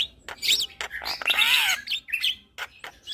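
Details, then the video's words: Javan myna (jalak kebo) chatter meant to rouse stressed, silent mynas into singing: dense run of high chirps, harsh buzzy notes and a drawn-out arched whistle with scratchy overtones. "Terapi Burung Jalak Stres Macet Bunyi - Ocehan Jalak Kebo Bikin Ribut Jalak Yang Dengar"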